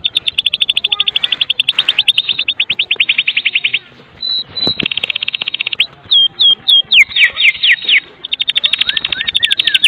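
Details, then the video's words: White-rumped shama of the Medan type in kretekan song, used to lure other shamas into singing: long bursts of rapid, dry, rattling notes, broken by a short gap, then sharp upslurred whistles and looping chirps. "Kretekan MURAI BATU MEDAN GACOR FULL ISIAN"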